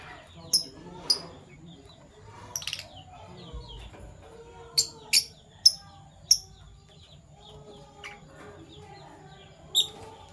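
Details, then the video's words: Fischer's lovebirds, PB Violet and Euwing Gold Opaline colour forms, calling in the morning: thin, very high clipped chirps, some doubled, spread irregularly over quiet background bird twitter. "Lovebird Chirping Sounds - PB Violet Fischer & Euwing Gold Opaline Fischer"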